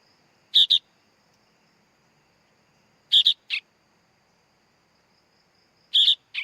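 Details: Sooty-headed bulbul chick calling with harsh double chirps about every two and a half seconds, three bursts, some followed by a softer extra rasping note.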